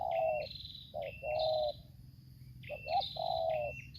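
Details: Spotted dove in Lampung during decoy luring of a wild bird, giving long low coos and a hooked rising coo, while another bird repeats higher, clear whistled stepped notes above it.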